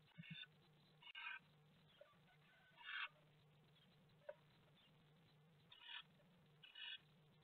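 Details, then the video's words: Great tits fighting at a nest box in Théding, France, on 18 March 2020: harsh, buzzy chattering bursts come in short rasping outbursts every second or two, over a steady low electrical hum. "Bagarre au nichoir - 18/03/2020 - Les Mésanges Charbonnières de Théding"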